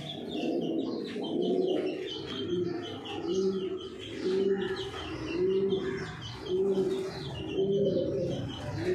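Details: Low rolling coos from Racing Homer pigeons kept at a big farm in Thoothukudi, Tamil Nadu, India, swelling in regular bouts about every one to two seconds over a steady bed of high twittering from other birds.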